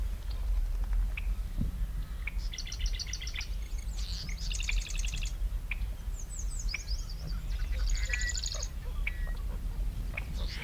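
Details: Marsh wren in June in west central Minnesota, on a lakeshore near American avocets, gives rapid, buzzy rattling bursts of stuttered high notes, each about a second long. Other birds chirp scattered around over a steady low rumble of wind.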